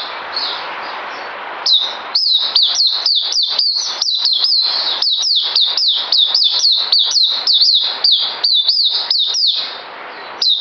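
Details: Songbird kept in captivity and due for deworming, 9 December 2018. A short faint phrase is followed by a long, dense burst of sharp, high, down-slurred notes, about two per second, that stops and then briefly resumes at the end.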